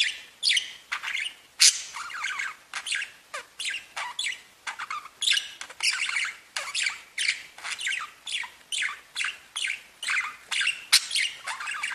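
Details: Pet budgerigars singing and tweeting in company: a fast, lively stream of rasping chirps, squawks and squeaky warbled notes, several per second, continuing without pause.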